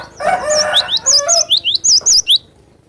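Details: Cinereous tit used as a provoking tutor voice: a brief lower chatter, then a rapid string of loud, high, wavy whistled notes mixed with sharp rising slurs, about eight in under two seconds.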